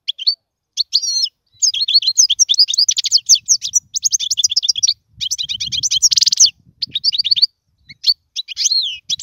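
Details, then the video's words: European goldfinch tutoring song for chicks: extended bursts of fast, liquid twittering and chirping broken by short pauses, with one rasping buzz in the middle and a few slurred whistles at the end. "اسمع المقنين واعطي رايك فيه,افضل تغريد لتعليم الفراخ"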